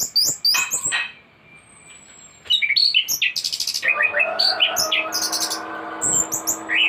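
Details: Thrush in full, varied song used as a master recording to tutor birds: rapid high chirps and buzzy notes, a thin drawn-out whistle, then dense jumbled phrases with strings of sharp notes and lower warbling beneath.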